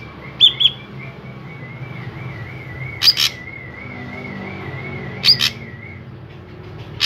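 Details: Drongo song used as a lure to draw other drongos into singing: short sharp high metallic double notes at about 0.5, 3 and 5.3 seconds over a faint steady wavering whistled tone and low background hum.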